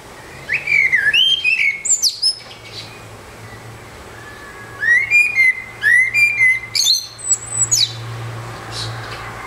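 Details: Single Eurasian blackbird on a rooftop pours out two fluty, warbling phrases separated by a pause, each rising into a run of thin, high, chattering notes; low steady hum beneath.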